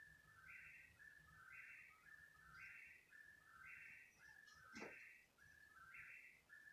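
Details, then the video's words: Unidentified bird calling at 3 in the morning, persisting about thirty minutes: a two-step note dropping from a higher buzzy tone to a lower one, repeated roughly once per second, with a low rumble and a single sharp click. "What kind of bird makes this noise?"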